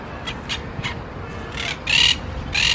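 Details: Monk parakeet in Palermo Park, Buenos Aires, Argentina, on 4 February 2018, giving harsh, grating squawks, about six in under three seconds, the last few louder and longer, over faint background hum.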